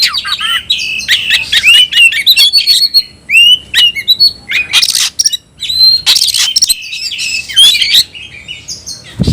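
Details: Caged oriental magpie-robin of the tayoraky variety in full song: dense, loud mix of clear whistles, buzzy phrases and harsh notes, almost continuous, with a muffled thump at the end.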